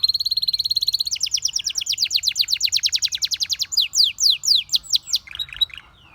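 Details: Sustained canary song: a fast buzzy trill, then a long rolling run of quick clicking notes that slows into louder falling whistled sweeps and a soft closing phrase.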